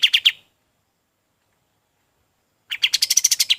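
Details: Golden-bellied gerygone song, kept as a tutor recording for training other birds: a short burst of three quick bright chirps, a long silence, then a faster run of about ten clipped notes.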